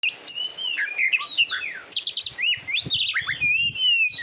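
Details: Oriental magpie-robin (kacer) song used as a training recording for competition birds: varied whistled phrases, sliding and looping notes with quick chirps, rich and continuous.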